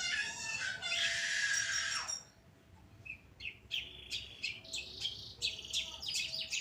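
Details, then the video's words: A caged long-tailed shrike of the Pastol type sings a master recording meant for training other songbirds. It opens with a dense, loud chattering burst, then gives sharp, clipped notes repeated several times a second. "Burung Cendet Pastol Gacor Dor"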